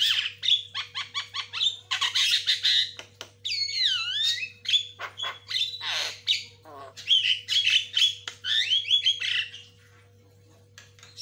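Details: White-rumped shama giving fast lure and master-training song, calls answering each other: rapid ticking notes, then loud swooping whistles and rich varied phrases, dense and continuous for about nine seconds before falling silent, with a constant low hum behind.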